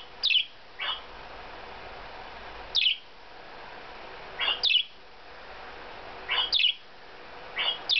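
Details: A parakeet answering a parakeet video being played to it, giving sharp, high, downward-sweeping chirps, often in quick pairs, roughly every two seconds against a quiet indoor background.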